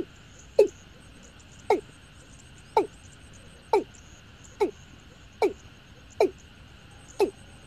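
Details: Watercock giving eight short, low, downward-sliding notes, spaced roughly one second apart, over a constant faint hum.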